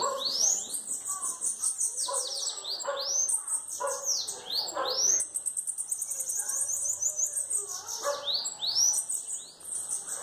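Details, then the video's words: Bananaquit singing face-on; a rapid, continuous run of high, thin, upslurred notes and buzzy trills. "Sibite cantando de cara"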